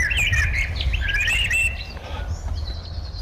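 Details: Brown Honeyeater at Sandstone Lake, Australia, around 9 am on an overcast, cool morning, 30 May 2022: quick, bright chirps in a rapid jumble, then a thinner, higher trill, over a low rumble of wind.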